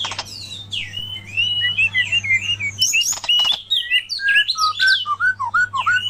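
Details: Oriental magpie-robin, or kacer, heard against a murai in a lively song duel: varied whistled notes and rapid rising and falling slurs, quick chattering runs, with a steady low electrical hum underneath.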